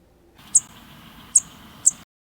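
Townsend's Warbler giving three very high, thin 'tiit' notes, short and sharp, spaced under a second apart, over a faint low background hum.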